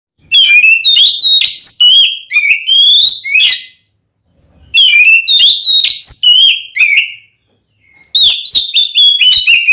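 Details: Oriental magpie-robin, a male singing a fighting song meant to provoke another male into anger: loud bursts of rich whistled and warbling phrases, sliding notes mixed with sharp clicks, in three bouts separated by short pauses.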